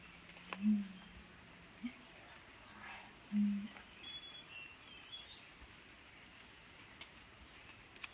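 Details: Bare-necked Umbrellabird at a lek in the Monteverde Cloud Forest Biological Preserve, Puntarenas, Costa Rica, giving two deep, short, humming booms about three seconds apart over a quiet forest background with faint high chirps.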